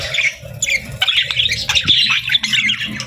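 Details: Budgerigars, called parakeets and budgies, chirping softly. A dense, continuous chatter of overlapping high chirps, short warbles and sharp clicks, with several birds calling at once and no pauses, over a faint low rumble.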